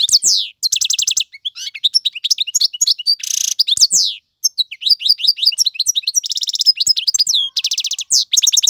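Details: Male European goldfinch tutoring song for chicks: lively tinkling twitters interspersed with quick trills, a rasping buzzy note, rising and falling slurs, and dense repeated-note rattles toward the end.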